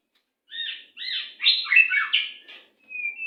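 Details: Rapid, tightly packed murai song meant as master audio for captive birds: jumbled chattering and slurred notes pour out without pause, then a drawn-out rising whistle closes the phrase.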